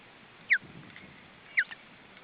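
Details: Osprey at its nest in Estonia during feeding, July 2012: two short, loud whistled notes that slide downward, about one second apart, over steady low background hiss.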